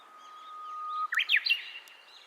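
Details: Japanese bush warbler singing at Nanakuni Kimita Park: a long steady whistle held for about a second, then a quick rising-and-falling flourish of sharp notes, over quiet rural background.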